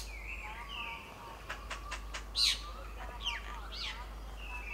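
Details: Jungle myna recorded in the middle Himalaya, in hill country far above its usual plains range and a first record at this altitude; a varied run of slurred whistles, rapid sharp clicks and a loud harsh burst midway, with other faint birds behind.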